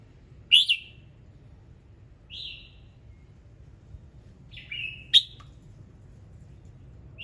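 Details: Red-whiskered bulbul in morning song, rich in notes, meant to trigger other birds to sing: crisp chirped whistles alternating with drawn-out slurred whistles at irregular gaps, over quiet low background noise.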